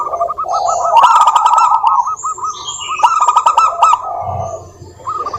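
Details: Local wild-type zebra doves singing steadily as a lure for other doves; a dense chain of fast, evenly beaded coo notes from several birds, cut by buzzy rattles.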